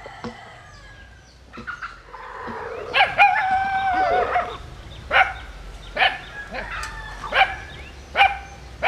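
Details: Japanese-Cuban cross bantam rooster crows once, a harsh, strained, wavering phrase of over a second, among scattered clucks and sharp short calls, with a steady low background hum.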